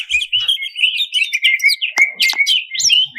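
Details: Quick burst of greater green leafbird song for provoking contest birds: tumbling whistled notes and crisp chirps in fast succession, with a few sharp clicks.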